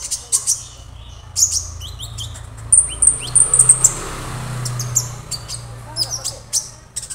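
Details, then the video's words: A young orange-bellied leafbird that has just begun to sing gives thin, very high chirps and a quick run of sharp notes, over a low steady hum. "KONIN Bahan auto rajin"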